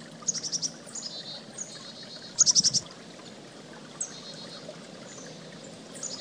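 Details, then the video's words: A chickadee gives short bursts of four or five quick, high, buzzy notes, twice, over the steady rush of a flowing creek. "Creek And Chickadee"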